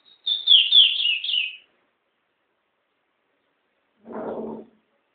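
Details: Pet songbird kept at home, recorded on a mobile phone: a short bright twittering phrase of rapid high notes sliding downward, then after a pause a brief lower rustling noise.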